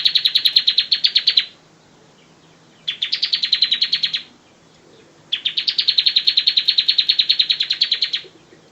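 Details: Singing bar-winged prinia, a master song for training birds: three bursts of quick, high, evenly spaced chirps, separated by pauses of a second or more.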